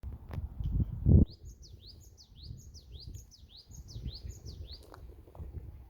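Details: Great tit singing at the summit of Wollongsan in Paju, South Korea: a rapid series of high, thin, downslurred whistled notes grouped in pairs, about a dozen notes over five seconds, over low rumbling background noise and a thump near the start.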